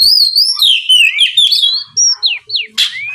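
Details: Oriental magpie-robin singing at full volume, used as a lure to provoke rival birds into answering; loud varied whistled phrases sliding down then rising, followed by short upslurred notes and a harsh burst near the end.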